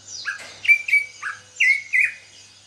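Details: Caged greater green leafbird, bought two months earlier while in heavy moult and now starting to sing freely: loud clear whistled notes around the same pitch, some sliding down, in quick bursts over soft high chirping from other birds.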